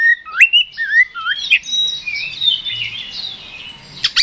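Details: Oriental magpie-robin (kacer) in 'ngeplong' fighting song to provoke rivals. Several looping whistled slurs lead into a dense, scratchy chatter of overlapping high notes, closing with sharp clicks.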